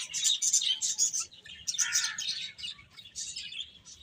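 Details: Eating, playful chicks send out sharp high chirps in fast irregular runs, about three per second, with one louder, lower-pitched peep near the two-second mark.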